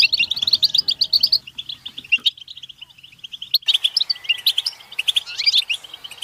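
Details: Goldfinch butbata chorus, mating calls meant to push males to sing. Quick tinkling chirps break off abruptly into a near-quiet stretch and then resume with livelier twittering and a few rising whistles.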